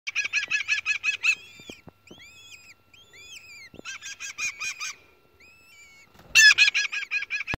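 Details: Three New Zealand falcon (kārearea) chicks, hatched in October at a ground nest in Manukaawa Forest, Otago, give harsh, rapid chattering bursts of about seven notes, with thin, arched whistles between the bursts.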